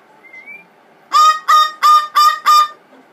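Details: A soft rising whistle, then five loud, grating screams in quick succession from a blue-fronted amazon having a tantrum after a water and rose-water spray.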